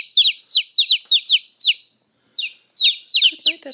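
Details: Domestic chicks chirping loudly right at the listener's ear: high, sharp, downward-sliding peeps, often doubled, in quick bursts with a brief pause midway, then resuming.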